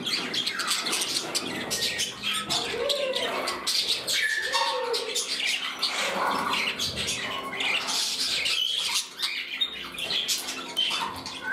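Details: Pet parrots vying for a spot beside a companion in a new home; nonstop warbling chatter of many chirps, with a few curved whistled notes standing out.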